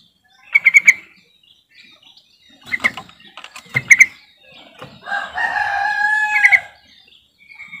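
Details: Sooty-headed bulbul lure call to set reluctant birds singing: rapid triplets of sharp bubbly notes repeated in bursts, then a drawn-out, rich warbled phrase and a final quick chirp.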